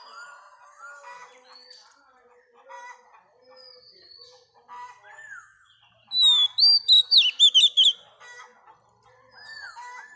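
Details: Wild-caught female Oriental magpie-robin singing to stimulate males: a long run of soft, low, looping warbles, then a loud cluster of high whistled notes repeated quickly for about two seconds before quieter phrases return.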